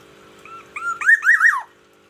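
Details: Black-naped oriole from Aceh, a kept bird in daily care, singing in the morning: one short fluty phrase of rising and falling whistled notes that climbs into a loud wavering ending, with a low steady hum behind.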